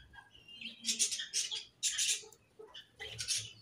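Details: Budgerigars settled into a new colony and described as happy; loud bursts of scratchy, buzzy chatter come in four separate outbursts about half a second apart, with soft chirps in the gaps.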